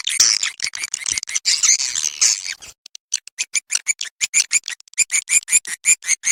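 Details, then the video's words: Swiftlet calling sound in the Ratu Birahi lure style, used to draw swiftlets in: a dense, harsh twittering chatter at first, then a steady run of clipped, high, buzzy chirps repeated rapidly. "Suara Panggil Walet SP Ratu Birahi"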